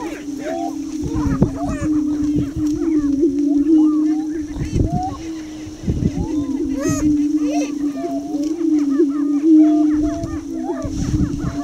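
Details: Greater prairie chicken lek in Minnesota's Tympanuchus Wildlife Management Area, a subdominant young male dancing close to blinds; continuous low moaning boom chorus with busy cackles and whoops above, and several dull low thumps.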